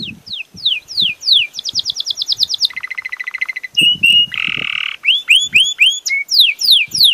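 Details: Belgian canary delivering a rich song: sliding downward notes, a rapid high trill, a lower steady trill, a buzzy rasp, arched whistles and final descending sweeps.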